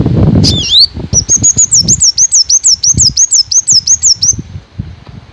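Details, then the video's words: A Black Sunbird gives a fast series of thin, high, slurred chirps, about four to five a second for several seconds, over soft low thumps like fluttering wings. "suara alam kolibri black sunbird kolibri hitam"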